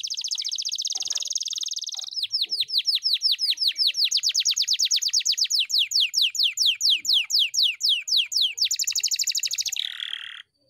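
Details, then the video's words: Canary, trained to sing long and continuous, opens with a fast high trill, then repeats about thirty down-slurred whistled notes at a steady pace, ending in a dense high trill and a falling buzz. "KENARI GACOR NGEROLL PANJANG"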